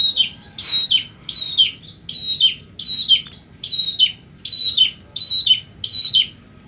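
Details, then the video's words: A semi black-headed long-tailed shrike repeats a clear, high, falling whistled phrase about every three-quarters of a second, nine times over, against a low steady hum. "Cendet Semi Kepala Hitam"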